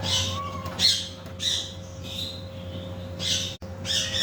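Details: Macaw parrot making short harsh squawks at irregular intervals, about five bursts, preceded by a soft arched whistle; background holds a steady hum and a constant faint tone.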